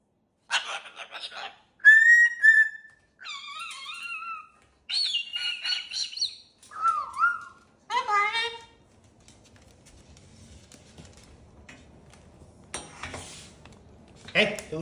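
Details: Pet cockatoo saying hello and waving its wings in greeting: a string of varied squawks, whistled rising notes and talking-like syllables for about nine seconds, then quieter room noise with a person's voice, laughter and a few harsh bursts at the end.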